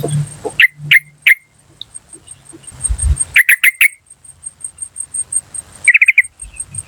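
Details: Wild yellow-vented bulbul: spaced sharp 'cuk' calls, then a quick run of four, and a final chattering burst, with a steady high drone and some low thumps.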